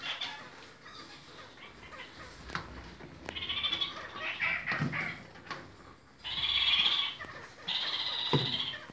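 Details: Red-crowned parakeets (kakariki) of various colour varieties, kept birds, giving loud nasal, harmonic chattering calls in bursts of about one second, the strongest near the end, over a quiet background with faint rustling.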